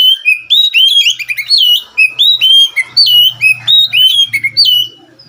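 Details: An Oriental magpie-robin sings energetically. Its loud, clear whistled song is made of rapid varied phrases, with swooping, upturned and falling notes linked in quick bursts and brief pauses. A faint low hum sits beneath.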